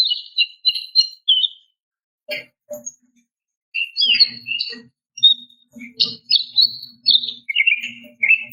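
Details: Female greater green leafbird calling to a male: quick repeated double chirps, a pause with faint low rumbling background, then varied sharp warbled and whistled notes over a soft low hum.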